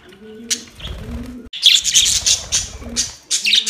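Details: Budgerigar conversation: after a few low coos from another bird, a loud, rapid run of harsh, warbling chirps breaks in and keeps going in quick, irregular bursts.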